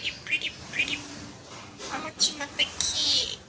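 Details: Pet jungle myna, known locally as salik pakhi, kept in a home, giving a string of odd high squeaks and chirps with brief harsh notes, some dipping lower, amid faint room noise.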